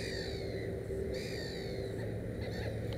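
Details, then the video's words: Black-headed gull at a nest of three chicks uttering two or three drawn-out, scratchy calls with slight downward bends, accompanied by a steady low hum and rumbling background. "Озерная чайка"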